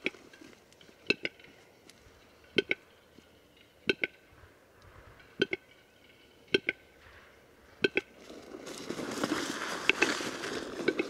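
A Western capercaillie gives sharp, knocking double clicks about every one and a half seconds, then breaks into a hissing, scraping whetting phrase.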